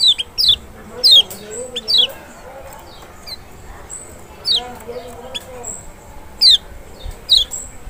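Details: Lemon-bellied white-eye (Zosterops chloris maxi) from Lombok or Sumbawa, lure song to make a quiet bird respond: thin, high, downslurred notes spaced irregularly, some in pairs, over faint background murmur.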